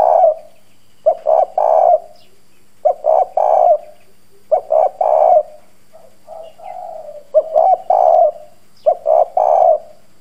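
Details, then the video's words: Spotted dove used as a decoy, calling in a hoarse, forceful country voice to draw wild birds quickly: husky triple coos repeated every one and a half to two seconds, broken by quieter drawn-out gurgles, over a faint background hum. "Cu gáy mồi Cứng Gù giọng đồng khàn kích bổi nhanh nổi. Chim cu gáy thúc gù gáy gọi kích bổi"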